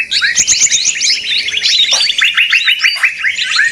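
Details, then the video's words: A crowd of small birds chirps busily in this trapping lure, with fast bursts of short notes throughout and a few lower rising chirps. "suara pikat burung ribut ampuh!!!"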